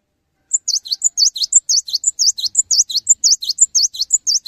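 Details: Cinereous tit singing steadily, offered as a trigger for other tits to sing. A long run of evenly spaced triplets: a high thin note, a dipping chirp, then a descending note. The pattern cycles roughly two times per second for four seconds in a clean setting.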